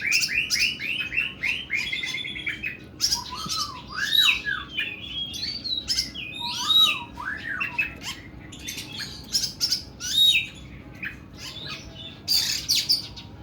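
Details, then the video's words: Long, coarse 'nembak' singing from an oriental magpie-robin, blending high scratchy bursts, buzzy trills and lower rising-and-falling whistled slurs in a varied, continuous stream. "KACER KUKU BIMA NEMBAK PANJANG & KASAR"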